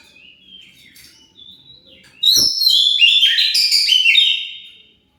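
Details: Oriental magpie-robin singing to incite other birds to respond: soft wavering whistles, a brief knock, then a loud, dense phrase of varied whistles and fast trills lasting about two seconds.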